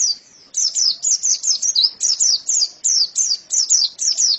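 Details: White-eye, known locally as pleci, starts singing after a brief pause: a lively string of very high, twittering notes, each sweeping down, closely spaced and evenly loud.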